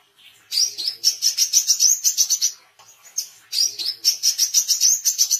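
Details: Oriental white-eye chirping for training songbirds and luring wild birds: two long bursts of quick, high, bright repeated notes, each lasting over two seconds with a brief pause between them.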